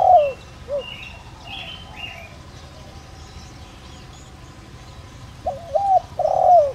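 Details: Spotted dove decoy used to lure wild doves gives its calling coo in the voice style known locally as giọng đồng rặc: a few low, hollow, slurred coo notes at the start, then three more near the end, against constant background noise.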